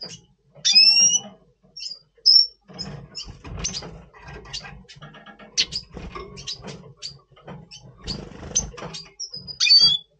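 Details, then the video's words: Red siskin in breeding mood before breeding, Double Pastel colour mutation, November 2023; rising whistled notes and sharp chips between clicking and ticking, with a loud upward whistle near the end. "Red Siskin 🦩Double Pastell 🔥FeuerZeisig before Breeding - Voice Brutstimmung"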